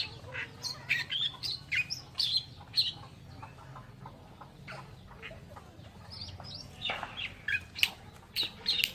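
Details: Rasping, chattering song phrases of an Oriental reed warbler in bursts separated by short pauses, over low continuous background noise.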